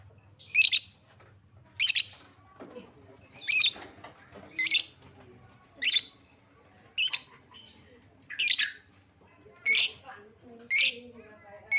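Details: Lovebird lure to make lovebirds sing: a steady series of about ten loud, shrill chirps, roughly one per second, with some softer twitters between them.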